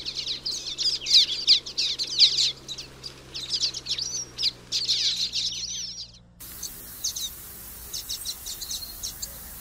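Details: Common waxbill (Estrilda astrild) song: dense high buzzy chattering with squeaky notes that breaks off abruptly, then fainter sparse chirps over a low steady hum.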